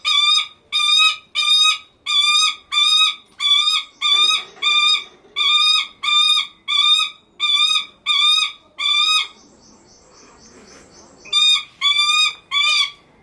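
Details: Lanner falcon kept at a Japanese bird park, calling affectionately to a beloved keeper: a long series of harsh, nasal, evenly spaced notes about one and a half per second, pausing briefly for a couple of seconds before resuming.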